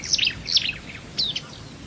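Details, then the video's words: Marsh warbler singing in a varied, mimicking style: quick high twittering phrases with buzzy chirps and a sliding note, delivered in three short bursts within two seconds, with a soft low rumble beneath. "VARIASI KICAU MARSH WARBLER"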